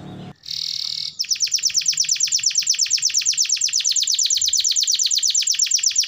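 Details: Hard-singing canary used to encourage lazy singers: a short buzzy note, then a long, rapid, strongly rhythmic trill of high notes repeated almost three times a second.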